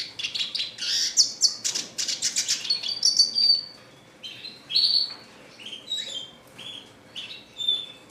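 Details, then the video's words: Red siskin in classic-style song: an opening run of rapid, pulsed buzzy chatter, followed by separate clear high whistled chirps spaced about a second apart. "RED SISKIN CLASICC MEWAH GACOR 24 JAM"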